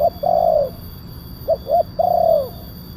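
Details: Spotted dove lure call used to draw wild doves down: loud mellow coos, a short note then a long falling one, a pause, then two quick clipped notes and another long drooping coo, with a steady electronic hum behind.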